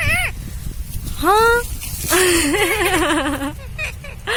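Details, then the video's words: Talking Indian ringneck parrot giving a short falling syllable, a rising phrase, then a long wavering, warbled utterance about a second and a half long, set against low rumbling background noise. "इंडियाn रिंगनेक्क parrot talking"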